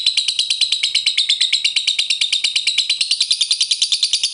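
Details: Lovebird ngekek chatter played as a lure to provoke replies: a continuous, very fast stream of shrill, buzzy, high-pitched notes with no pauses.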